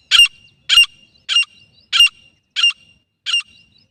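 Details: Female grey francolin from Jharkhand, used as a hunting call: six harsh, loud notes repeated about every two-thirds of a second, each a broad rasping burst with a clear tone, and no other sound.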